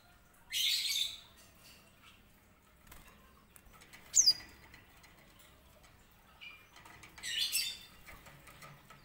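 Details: White-rumped seedeater, also known as grey singing finch, kept as a master bird for training canaries; three short, bright, twittering bursts separated by pauses of a few seconds, with faint rustling between phrases.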